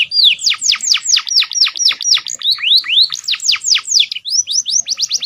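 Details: A canary sings a fast, continuous run of high, sharply falling whistled notes, then rising sweeps, several per second without pause; it is a tutor recording of canary song mixed with phrases of other songbirds.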